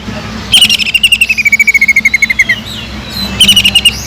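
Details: Lively greater green leafbird giving a kingfisher (tengkek udang) imitation meant to teach other leafbirds: a long rapid series of about twenty-five sharp notes sliding steadily downward, then a brief second burst.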